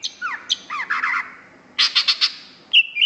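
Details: Greater green leafbird song, gacor style: a few curved descending whistles, a burst of harsh buzzy notes, then a clear high whistle.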